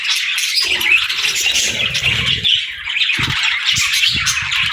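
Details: Morning twittering from caged parakeets kept with lovebirds, busy bright chirps over intermittent low rumbling and thudding sounds in the background.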